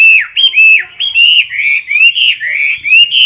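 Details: Loud competition song from a caged Chinese hwamei at close range: rich, continuous slurred whistles, each phrase arching up then dropping, delivered rapidly without pause.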